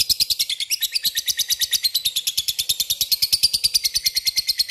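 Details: Lovebird calling to a rival in the fast 'ngekek' chattering style. It gives an unbroken stream of high, sharp, metallic chirps, about seven or eight each second, at a steady, insistent rhythm.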